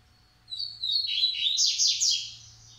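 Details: Short Coleiro phrase, Massai and baiano style, from a Maranhão breeder: a whistled note opening into loud, fast buzzy trills that sweep up and down before fading.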